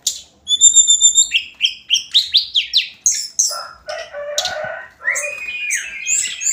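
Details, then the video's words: Hill blue flycatcher, known locally as tledekan gunung, in daily song: high whistled notes held level, then a quick run of rising and falling chirps, with rougher lower phrases toward the end. "Kicauan harian Tledekan gunung"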